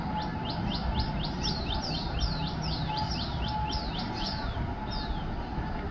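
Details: Black drongo on cluster figs in Mapusa gives a fast run of high, sharp chirps, about three each second and slightly sweeping in pitch, over a steady low rumble of background noise.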